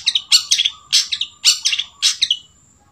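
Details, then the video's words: A long-tailed shrike mimicking a sooty-headed bulbul (kutilang) gives short, bright chirping phrases about every half second, with a faint steady whine behind them. "Cendet isian kutilang"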